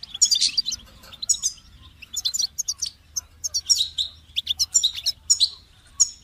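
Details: Goldfinch singing a bright, rapid twittering song of high tinkling notes and short buzzy trills, delivered in bursts of about a second with brief pauses between phrases; a faint low hum runs underneath.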